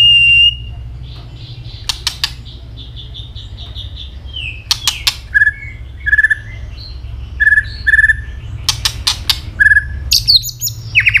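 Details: White-rumped shama singing to fight: a single pure whistle, scattered click snaps, then short repeated whistled notes at a steady pitch, interspersed with more clicks and ending in a louder rising flourish.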